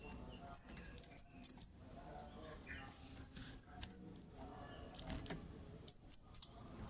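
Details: Kemade bird calling 'cit' as a lure to make other birds reply: bursts of thin, very high chirps, a run of five evenly spaced piercing notes in the middle, and a final group of three.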